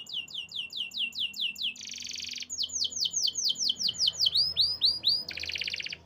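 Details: Canary song with series of quick descending high notes, two harsh buzzy rattles, and looping upward-curving whistles in between, over faint low background noise.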